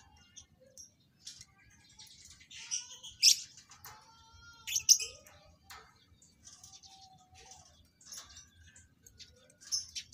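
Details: Lovebirds being paired for mating in captivity give irregular sharp high chirps and clipped squeaks, a few louder screechy notes standing out every second or two, over a low background hum.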